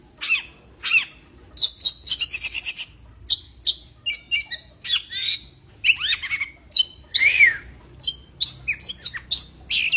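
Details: Oriental magpie-robin in breeding condition singing a busy, varied phrase: rising and falling whistles, harsh squawky notes and a fast stuttered trill, delivered almost without pause.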